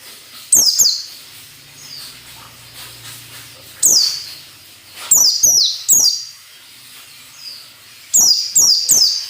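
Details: Used to train captive birds, this white-eye ngalas nembak song comes as loud, very high, down-slurred bursts, sometimes two or three in rapid succession, with a soft low rumble early on.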